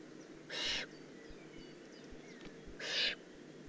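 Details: Two coarse, hissing rasps from a juvenile Eurasian eagle-owl, recorded in the Eifel on 18 June 2016, come about two and a half seconds apart, with faint high chirps of other birds in between.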